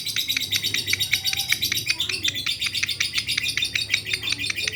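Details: Lovebird calling back right after another lovebird is heard, giving a continuous fast train of piercing, clipped chirps, roughly two to three per second, fairly even in loudness, with a faint low rumble underneath.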